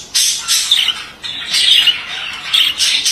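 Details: A male budgerigar chatters in short bursts of harsh squawky and squeaky notes, separated by brief gaps, with sharp high chirps at the start of each burst.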